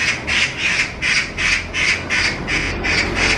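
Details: A magpie, one of two attacking and chasing a stray cat, gives a harsh, rasping chatter of about nine dry, noisy bursts in just over three seconds, steady and insistent; recorded 5 July 2024.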